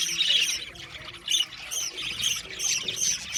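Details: Aviary budgies chirping and squawking, rasping high bursts repeating roughly every third of a second over a constant chatter from the colony.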